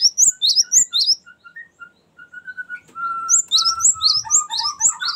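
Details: Cinereous tit 'ngerol' rolling song for luring and tutoring birds: bright high chirped notes about twice a second open and close the passage, while another bird's lower, drawn-out whistles fill the middle.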